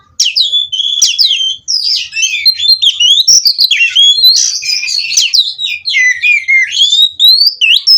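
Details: Caged Oriental magpie-robin from a breeding farm in continuous rolling song, packed with high, sharply rising and falling whistles and chattering notes delivered in quick succession with barely a gap.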